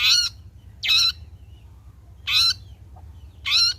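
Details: Long-tailed shrike after bathing, used as a lure to prompt singing: four grating, raspy squawks spaced irregularly over three seconds, each short and harmonic-rich, with near silence between.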